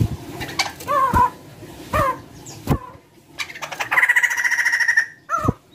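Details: White-crested laughingthrush singing energetically, used as a lure to prompt other birds to sing: loud upslurred and downslurred whistled notes, sharp clicks, then a fast harsh rattling chatter, in a small room.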